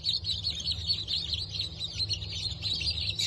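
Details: Many newly hatched Brahma and Wyandotte chicks from an October 2024 hatch peep together in a constant, shrill, wavering chorus without pause, over a low mechanical hum.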